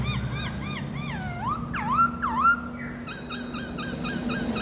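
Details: Four-month-old red-whiskered bulbul singing while displaying its wings and tail: clear whistled notes that rise and fall in smooth loops, several longer swooping phrases, then short repeated chirps, over a low steady hum.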